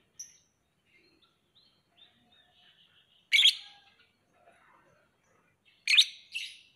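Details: Lovebird with soft quiet twittering, then two loud piercing shrieks about two and a half seconds apart, the second followed by a shorter echoing squeak.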